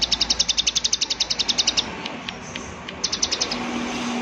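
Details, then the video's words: 'Klik klik' call of a prinia: a fast train of bright, high clicks for nearly two seconds, a quiet gap with a few scattered ticks, then another brief run of clicks. A low steady hum comes in near the end. "Prenjak Klik Klik Gacor Suara Alam Dan Isian || Prenjak Klik Klik Pasti Nyaut"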